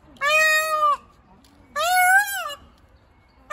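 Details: A peacock described as angry gives loud, nasal, wailing cries, each under a second long and about 1.5 seconds apart, with a third just beginning.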